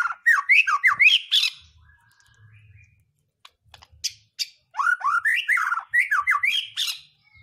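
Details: White-rumped shama song for provoking other birds to sing: two bursts of quick slurred whistles climbing in pitch, separated by a quiet gap with a faint low hum.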